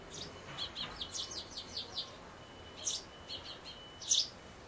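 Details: On 11 May 2012 sparrows shuttle to a birdhouse where a large chick peers out, fledging due next day; a brisk rattling series of high chirps, then a few scattered notes ending in one louder chirp.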